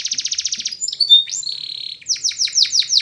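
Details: Spanish Timbrado canary in training song: an even, pulsing roll of quick notes, a few sliding whistles and a held buzzy tone, then loud, ringing downward-swept notes repeated about five times.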